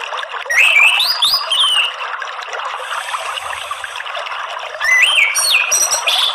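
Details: Orange-headed thrush singing for a therapy recording meant to get a caged bird singing; bursts of clear whistled slurs and high twitters, separated by a quieter middle stretch of mixed chirping.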